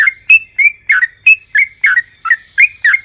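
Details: Sooty-headed bulbul, used as a lure to make others sing, giving abrupt, bubbly slurred notes about three per second on a clean, quiet background.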